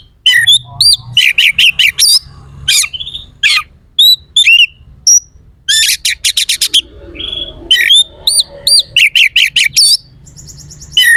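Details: Oriental magpie-robin in full song with rough, sharp fill phrases, used to provoke rival contest birds: rapid bursts of high whistled and chattering notes, tight trills and sweeping slurs, repeated in quick clusters with short pauses, faint low hum beneath.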